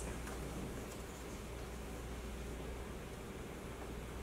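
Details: Steady low rumbling noise, like a vehicle or running fan, with a faint hiss above it; no animal calls can be picked out.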